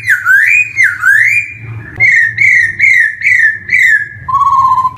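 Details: Black-throated laughingthrush song used as a lure for young birds just starting to sing: loud, rich whistled phrases, rising and falling, repeated about once a second, ending on a lower steady whistle, with faint low hum.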